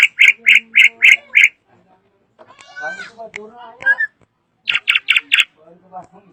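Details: Loud drongo phrases: a burst of five harsh repeated notes, a jumble of softer chattering and slurred notes, then another short harsh series.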